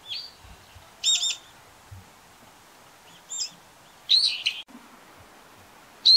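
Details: Brown-eared bulbul calling: loud harsh, buzzy shrieks spaced about a second or two apart, some with a rising whistled edge, in a quiet setting.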